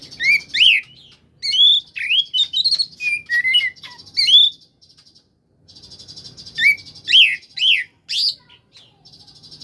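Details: Koslet oriental magpie-robin song to make reluctant magpie-robins reply: two lively phrases of varied, slurred whistles and chirps separated by a soft buzzy trill.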